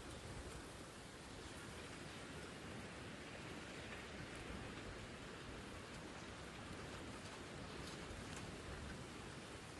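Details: Steady broadband hiss like rain falling on a surface, with no animal sounds audible.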